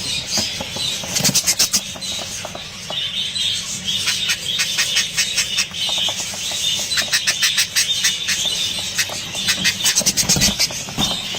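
Budgerigar chicks give harsh, raspy begging calls in rapid, rhythmic bursts that overlap throughout.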